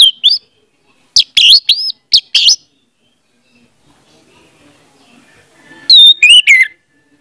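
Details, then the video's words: Orange-headed thrush singing as a lure for a silent bird: quick bursts of whistled notes that rise and fall, a long quiet stretch with faint low background sound, then a final short phrase. "audio suara anis merah || pancingan ampuh untuk ania merah membisu"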